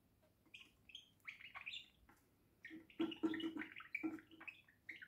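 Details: Pet budgerigar on a house roof giving soft chirps and short warbled notes, quiet at first, then a louder burst of overlapping chatter in the second half.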